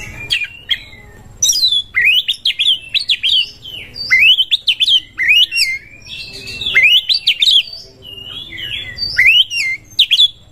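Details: An Oriental magpie-robin in breeding condition, its song meant to stimulate other birds: loud, rhythmic series of rising-falling whistled notes in rapid bursts, separated by short gaps.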